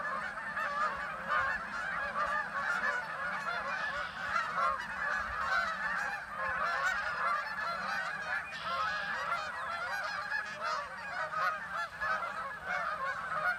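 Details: Large gathering of geese at the Kanik Nature Trail producing a dense, unbroken chorus of many honking voices layered together, loud and continuous without pauses.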